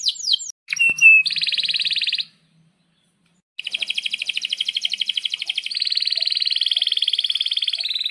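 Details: Canary singing vigorously in breeding condition, a long-rolling song meant for training young birds: brief sweeping notes, a dense buzzy trill, silence, then an extended rapid rattling roll that shifts pitch partway through.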